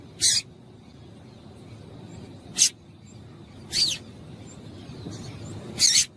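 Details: Female double-collared seedeater calling to stimulate a male into singing; four short, sharp, high-pitched chip notes spaced irregularly about one to two seconds apart over a quiet background.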